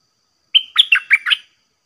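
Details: Red-whiskered bulbul kept in a cage as a lure for wild birds sings one short 'dok taeng' style phrase: a steady whistled note followed by four rapid, bouncy chirped notes.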